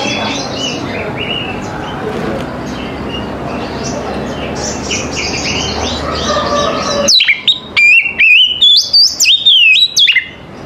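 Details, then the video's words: Morning therapy song of an Oriental magpie-robin to stir other magpie-robins into singing: several seconds of broad background rustle and hiss, then a sudden run of loud, sharp whistled notes jumping between high and mid pitches. "TERAPI KACER PAGI HARI 100 PERSEN AMPUH KACER APAPUN AUTO NYAUT DAN IKUT GACOR"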